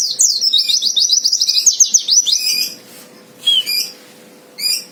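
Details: White-eye fighter song aimed at drawing out a rival: a long, rapid series of high chirps, roughly four per second for nearly three seconds, followed by a few short separate bursts after a pause.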